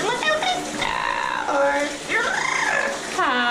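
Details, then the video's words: A pet Yellow-naped amazon parrot living in New Jersey sings opera in the shower: wavering, drawn-out tonal notes rising and falling in arcs over a steady broadband hiss of running water. "talking Parrot singing opera in the shower"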